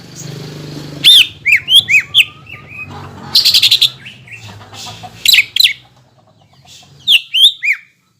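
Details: Greater green leafbird in full song, used to provoke other green leafbirds into singing: loud, sharp whistled notes with steep rising-then-falling slurs, rapid bursts of clipped chips, and pauses between phrases over a low hum.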